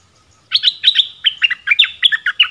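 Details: Dok taeng decoy bird singing in the forest to lure a mate, January 2021; a lively two-second string of clear, bouncing chirped notes, about four per second, starting after a brief silence.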